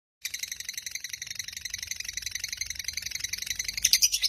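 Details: Lovebird of the dakocan variety singing very actively, used as a lure to get lazy lovebirds singing; a dense, rapid, buzzy high chatter of fast pulses runs throughout, rising into sharper, louder notes near the end.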